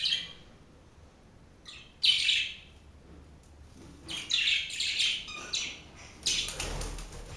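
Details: Four pet budgerigars kept together indoors: scattered bursts of raspy, noisy chirps and warbling chatter, with short pauses between outbursts and a low rumble near the end.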